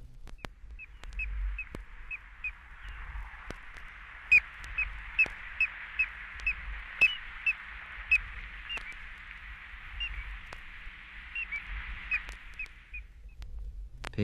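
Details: Piping Plover from a 1961 guide to eastern and central North American bird songs, giving a run of clear, piping whistled notes, about two per second, over a steady wash of surf, punctuated by a few sharp clicks.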